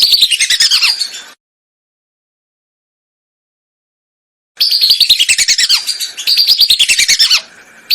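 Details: Lesser whistling duck lure for hunters in Indonesia: a short burst of rapid high whistles, about three seconds of silence, then two more fast chattering runs with falling end notes.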